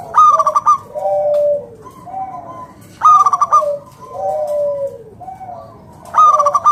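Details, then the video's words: A local zebra dove (perkutut), used as a lure to prompt other doves to sing, gives a phrase about every three seconds: a quick burst of clipped, bubbling notes, then soft, falling coos. "PERKUTUT LOKAL GACOR SUARA PALING AMPUH UNTUK PANCINGAN BURUNG PERKUTUT AGAR NYAUT BUNYI GACOR"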